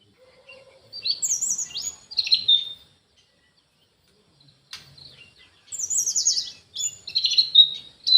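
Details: Caged orange-headed thrush in an aviary: two separated groups of high, sharp, warbled whistles, each a second or two long, with a silent stretch and a click between them.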